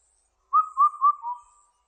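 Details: A single four-note Indian cuckoo phrase, three bright whistles at one pitch followed by a lower, fading fourth note, with no other sounds.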